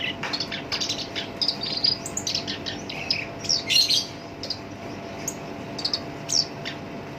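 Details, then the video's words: Harsh, lively song from a caged black-browed reed warbler used as a lure for other songbirds: runs of grating chatter and high squeaky notes, with a louder buzzy burst near the middle and a quieter stretch after. "SINCHAN (KERAK BASI ALIS HITAM) GACOR POL, SUARA KASAR COCOK BUAT PANCINGAN GACOR LANGSUNG NYAMBER"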